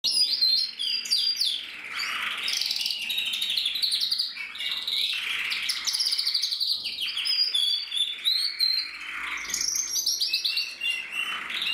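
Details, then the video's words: Red-black crested male canary, bred in 2024, singing in a long unbroken stream of rolling trills and buzzy warbled phrases, with sharp high whistled notes scattered above the main run. "Kanarienvogel Rot-schwarz mit Haube 2024"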